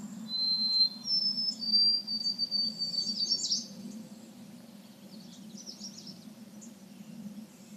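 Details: White-throated Sparrow, whose males sing from exposed perches to defend territory: a few thin, clear whistled notes rising slightly in the first seconds, over a constant low hum and faint insect-like buzzing.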